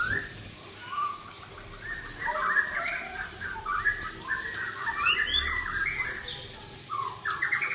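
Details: Aceh-type white-rumped shama with 'klewer' tail, 'isian' song heard more distantly: soft looping whistled phrases over a hissy background, with a few higher notes near the end.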